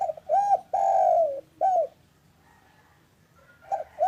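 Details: Local spotted dove calling in the afternoon, used as a lure to get silent or reluctant doves calling: a low, mellow cooing phrase of short hooped notes and one long drawn coo, then a pause before cooing resumes.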